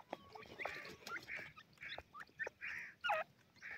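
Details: Grey francolin chicks bathing in soft sand and feeding on the ground with their family: short, slurred chirping calls repeated at irregular intervals, some rising then dropping, with scratchy rustling between them.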